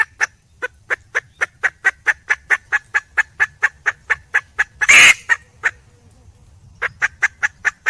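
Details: Female red junglefowl, a wild hen calling for a male: a steady run of short, sharp clucks about four per second, broken near the middle by one loud harsh squawk, then further clucking after a brief pause.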